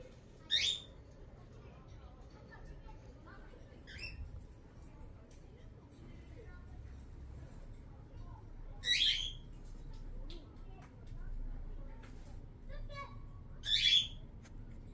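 A young cockatiel gives loud, harsh rising squawks, spaced several seconds apart.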